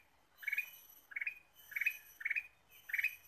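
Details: Ruby-throated bulbul (kutilang emas) gacor lure song: five compact, rattling chirp bursts spaced roughly every two-thirds of a second, bright and slightly harsh, against a low steady hiss.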